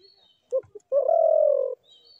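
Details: Two short soft notes from a spotted dove lead into a single sustained, smooth coo of nearly a second. Faint high bird twitters are behind it.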